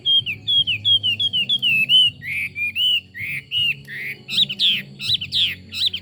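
A Chinese hwamei sings loud, clear whistled phrases: a quick run of repeated slurred notes, then lower rising whistles and sharper, higher varied notes.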